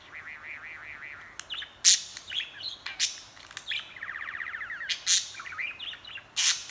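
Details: Budgie chattering in a continuous ramble: a wavering looped warble, then loud clicks, a fast buzzy trill and squeaky notes, with harsh bursts every second or so.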